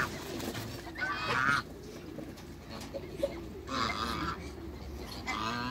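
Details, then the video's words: Three separated bursts of loud nasal honking from a couple of African geese in a backyard, with quieter gaps of low murmur and a few soft clicks between calls. "COUPLE AFRICAN GEESE AFTER THE CREATE WATERBIRDS IN THE BACKYARD"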